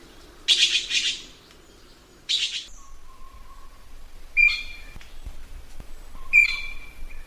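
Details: Red-billed blue magpie making two harsh rasping bursts, then clear steady whistles and sharp ringing notes at intervals, with low rumbling in the background.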